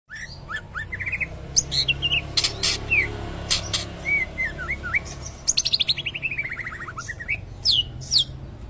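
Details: Greater green leafbird singing in the style of a shama: varied high whistled notes, quick rising and falling slurs and rapid trilled runs, with sharp clicks between phrases over a steady low hum.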